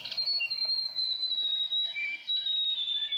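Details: A New Zealand grey warbler (riroriro), a tiny shy bird of dense native bush, sings a thin, high, drawn-out wavering whistle that slowly falls, with fainter lower quavering notes threaded beneath.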